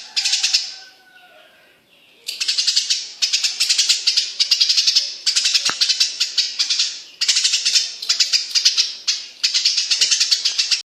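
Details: Eurasian tree sparrow, a tame bird, in vigorous song: after a near-quiet start, rapid rasping chirp bursts follow one another for several seconds with short pauses, loud and close, ending in reverberant fades.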